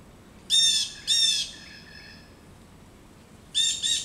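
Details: Local blue jays mob an adult male osprey roosting in a back yard, giving harsh, nasal jeer calls: a pair of rasping notes, a pause, then another pair. The background is otherwise quiet.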